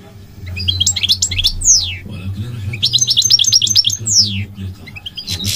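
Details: Goldfinch, described as migratory, in full song: bursts of fast liquid twittering and tinkling trills broken by sharp descending whistled slurs, two phrases in quick succession, with a constant low hum underneath.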